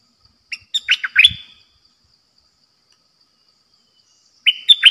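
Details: Bulbul kept in a cage as a trapping decoy sings a rapid run of sharp, slurred chirps lasting about a second, then goes quiet before another brief phrase begins near the end.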